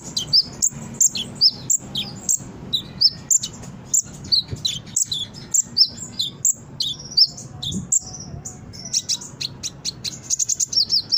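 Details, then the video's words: Brown-throated sunbird song for luring and training other birds: dense high-pitched twittering with squeaky chirps and short buzzy slurs, sustained throughout, ending in a rapid rattling flourish. "Suara Konin gacor pancingan burung bahan cepat respon dan bunyi"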